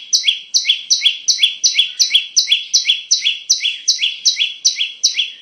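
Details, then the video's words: Bar-winged prinia song used as a trapping lure and tutor recording: a steady, fast train of loud, high, two-part downslurred chirps, roughly three per second and very regular throughout. "Pikat Burung Ciblek"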